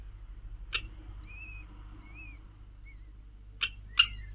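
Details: Common kestrel nest with four recently hatched chicks fed by the mother on 4 May 2022: a few thin, high, drawn-out whistled calls with pauses between, broken by sharp clicks and knocks, over a faint low hum.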